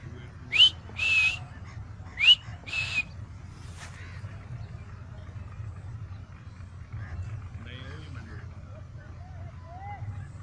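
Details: Pet Alexandrine parakeet whistling in a park: two loud pairs of rising whistles in the first three seconds, then only soft outdoor background noise with faint distant sounds.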